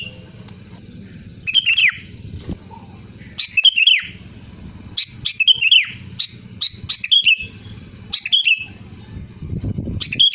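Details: Prolific sooty-headed bulbul recorded to lure others into song: a lively run of bubbly whistled phrases, some stacked closely, roughly every second or two, against a low steady hum.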